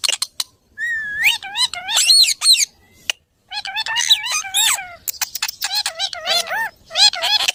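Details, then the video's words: Parrot giving loud, harsh harmonic squawks mixed with rapid rising and falling whistled chatter, delivered in dense bursts with a brief silent pause midway. "funny parrot sound 🐦#cute parrot sound"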